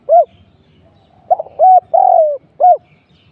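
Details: Spotted dove decoy calling during trapping. An isolated arched hoot is followed by a full phrase: a clipped note, a rounded coo, a long drawn-out descending croon and a last arched hoot. Faint low background murmur.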